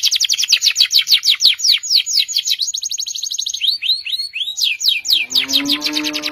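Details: Canary singing long gacor panjang song for a masteran: a fast rolling trill of repeated notes, a few looping rising whistles, then a lower squeaky harmonic-rich note under high chatter.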